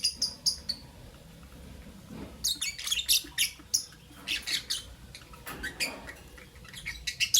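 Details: Captive lovebirds, albino and Euwing green opaline, chirping in the morning: bursts of sharp, high, harsh chirps in quick runs with short pauses, several birds overlapping.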